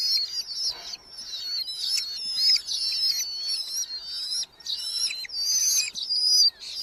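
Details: Red-footed falcons nesting in a box in a large Hungarian colony, chicks growing in July 2025; shrill, wavering, drawn-out calls run in dense overlapping bursts, broken by short gaps, with faint flutter-like rustles.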